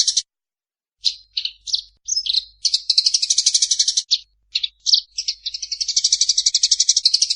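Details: Eurasian tree sparrow fighting call, for training birds. Scattered high chirps and short twitters build into long bursts of rapid, harsh chattering, with brief gaps between the chirp clusters.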